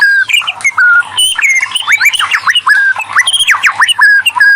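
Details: Lure singing from a white-rumped shama to get other shamas answering: bright whistled slurs and steep up-and-down sweeps, alternating with sharp squeaky notes in a lively, uneven rhythm.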